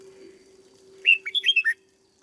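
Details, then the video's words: One lively phrase of six quick slurred whistles, rising then dropping, sung by a caged red-whiskered bulbul, a decoy bird being brought into fiery singing form, over a soft constant hum. "Cách chăm chào mào căng lửa nhanh hiệu quả nhất, cách dợt chào mào mồi"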